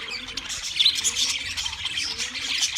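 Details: Wild budgerigars chirping as a flock: a dense, continuous wash of high, scratchy twitters and short warbled notes with no pauses, rising slightly in loudness after the first second.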